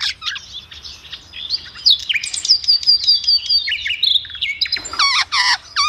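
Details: Village morning in the jungle, a busy stream of high chirps, whistled upward and downward slurs and short buzzy trills, delivered rapidly and unevenly with brief pauses.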